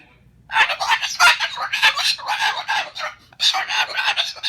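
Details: An angry pet Moluccan cockatoo, upset that his "nest" of shredded fruit and vegetables on the kitchen table was cleaned up after he nipped an ankle, gives harsh, rasping screeches in rapid rhythmic bursts over about three seconds, pauses, then screams again.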